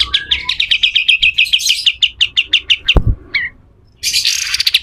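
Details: Pied triller delivering a coarse 'besetan kasar' song meant for tutoring other birds: a steady string of quick, metallic chirps, a loud knock, a brief silence, then a harsh, buzzy chatter.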